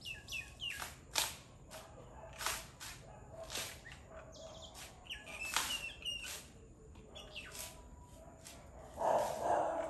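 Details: Common myna calling in Nawala, Sri Lanka, on the morning of 23 October 2021 at 9.02: repeated harsh, rasping bursts mixed with short whistled notes in an irregular chatter, ending with a louder noisy rush of sound.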